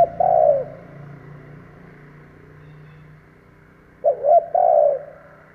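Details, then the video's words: Decoy spotted dove cooing to draw in wild doves: one long coo at the start, then a full phrase of two short hoots and a sustained falling note about four seconds later. An engine-like low drone runs underneath. "Chim cu gáy kích bổi , Cu gáy kích bổi mở là gáy"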